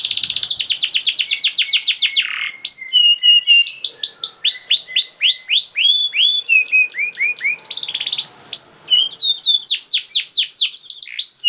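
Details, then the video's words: Fast canary song for prompting quiet canaries: a rapid rolling trill, then a sequence of rising and falling whistled notes repeated in quick groups, roughly four per second. "Kenari Gacor Speed Rapet Ampuh Buat Kenari Macet Jadi Ikut Gacor Lagi || Voice of Canary"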